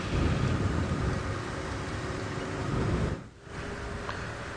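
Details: Low engine rumble with steady broadband hiss, a brief dip in loudness near the end, and no animal calls.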